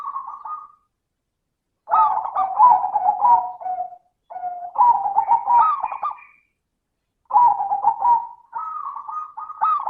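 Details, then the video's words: Local zebra dove song used as a lure to get lazy doves singing, in a clear crystal style: phrases of rapid stuttering coos ending in a long rolling trill, separated by pauses of one to three seconds. "Pancingan suara burung perkutut - suara kristal"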